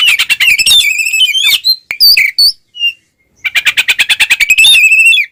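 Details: Oriental magpie-robin in a provocative ngeplong fighting song, fast harsh rattling trills with overtones, a few isolated whistles, a pause, then another rapid rattle.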